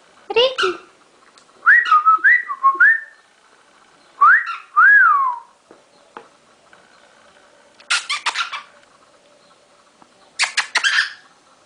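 A cockatiel whistles clear, rising and falling notes in short phrases, then gives harsh, scratchy chatter.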